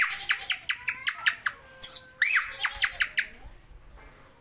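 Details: Oriental magpie-robin giving rapid, sharp chirped notes about three or four per second, mixed with a few slurred whistles, and fading toward the end.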